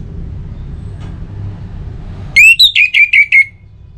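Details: Song of an orange-headed thrush, a lure for other birds: after low background noise, a tight series of about six clear whistled notes, the first rising, the rest slightly falling.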